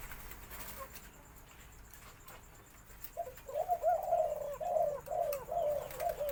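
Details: White-coloured Spotted Dove singing a full four-note 'khan yon' crow in a medium-to-large, deep voice; quiet background for three seconds, then a run of low, hooting coos repeated in quick phrases.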